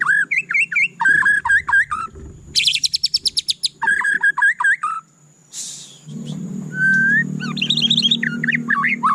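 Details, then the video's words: Energetic white-rumped shama song: fast repeated trills, a run of rapid buzzy notes, a rasping burst, then a pure level whistle and varied warbled phrases, with a low rumbling background hum in the latter part. "suara candu Murai Batu"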